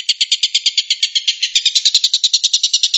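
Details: Stork-billed kingfisher, locally tengkek buto, singing in the 'tembakan' rapid-fire style: a fast, even series of scratchy, buzzing pulses, slightly fuller in the second half.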